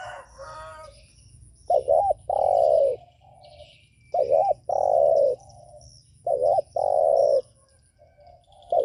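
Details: Spotted dove cooing, used to provoke other doves: a short looping note followed by a longer, falling, mellow coo, the phrase repeated three times roughly every two seconds, with faint high chirps in the background.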